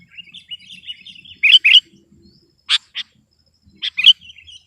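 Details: Sooty-headed bulbul song aimed at out-singing a rival: soft twittering, then loud paired chirps, another pair after a second, and a final pair with a short trailing warble.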